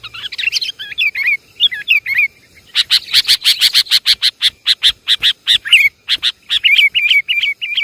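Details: Noisy sooty-headed bulbul lure track: warbled, wavering whistles open, then a rapid, insistent run of sharp chirps, ending with repeated short slurred whistles.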